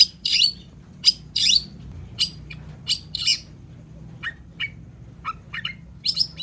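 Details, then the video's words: Long-tailed shrike singing hard, played to coax silent shrikes into song: loud raspy bursts spaced about a second apart, then quieter short chips and sweeping notes, over a faint steady hum. "SUARA CENDET GACOR"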